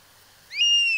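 A European Honey Buzzard gives a single clear whistle that swoops up quickly, holds high and steady, then dips slightly at the end, after a moment of quiet.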